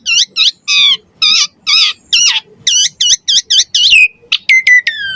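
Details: Javan pied starling in gacor mompa song: repeated nasal, wavering notes rich in overtones, then a smooth falling whistle and a few clipped, metallic notes at the end.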